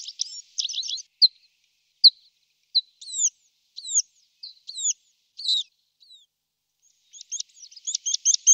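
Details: Tree pipit, a small migratory bird of the wagtail family, singing. A fast buzzy opening is followed by a series of separate high downslurred and hooked notes, then a rapid run of clipped repeated notes. The background is silent.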